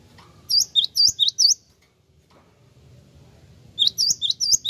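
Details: Java sparrow answering a played lure call at once, giving quick bursts of four or five high, sharp, bouncing chips, a two-second pause, then another burst, over a low background hum.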